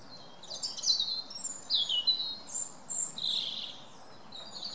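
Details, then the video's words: Wren singing, pouring out high, rapid bursts of trills and sharp notes in quick succession over a soft, steady background hiss. "Wren singing"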